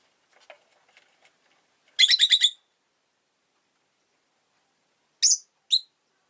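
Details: Rosy-faced lovebirds, two birds huddled together at an entrance, give a quick burst of four or five harsh, high chirps, then two short shrill notes after a pause; faint soft ticks precede them.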